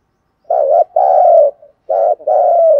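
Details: Lure spotted dove for attracting wild doves, singing 'thúc gù' in a deep voice: two loud low coo phrases, each a short hoarse note followed by a longer sustained coo that slides gently downward.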